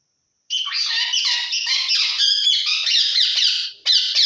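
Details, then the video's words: Talking parrot from Assam speaking in Assamese, including the phrase "ki korisa? o kaka"; a continuous run of harsh, buzzy squawking and chattering syllables lasting over three seconds, a short break, then another burst, recorded indoors. "assames talking parrot🦜ki korisa? o kaka"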